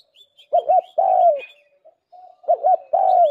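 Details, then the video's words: Calling spotted dove kept as a lure, giving two wavy coos then a long drawn-out falling coo, repeated twice, soft low notes between, faint bird chirps above. "Tiếng chim cu đất mồi chuẩn nhất"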